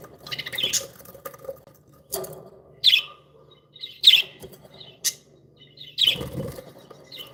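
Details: Cheerful pet budgerigars giving scattered high, sharp chirps about once a second, mixed with softer chatter and light cage rustling.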